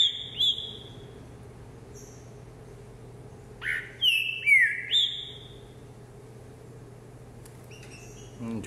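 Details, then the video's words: Green-winged saltator in a cage, exercising on a hopping perch on 24 December 2020, gives a short whistled note, then after a gap a run of three ringing downslurred whistles, with a faint human voice near the end. "Trinca ferro Vigor no pulador"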